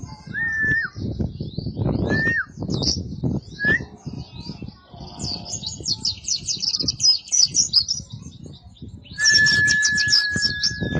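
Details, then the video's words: Oriental white-eye song offered as a master recording for training caged songbirds: short lower whistled slurs, then rapid high chattering twitters and a long steady whistle at the end, over constant low background rumble. "Kicauan burung pleci cocok untuk masteran gacoan anda"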